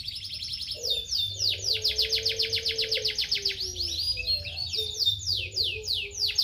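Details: Canary song made of rapid, high, buzzy trills of repeated notes, changing from one trill to the next, with a soft low hum running underneath.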